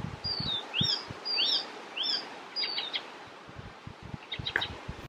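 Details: Song of an icterine warbler in Västerbotten on 27 June 2021. Clear slurred notes, some falling and some rising, repeat roughly every half second, followed by a softer jumble of high notes. Faint low knocks sound in the background.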